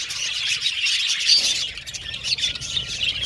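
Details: Budgerigar flock chatter, high busy twittering with quick chirps overlapping, one thin drawn-out whistle near the end, loudness rising and dipping.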